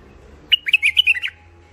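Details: Hybrid finch, or mule, described as wild Alwazi type with a thick throat, kept in first isolation, sings a quick run of about six bright, slurred chirps in under a second over a quiet low hum.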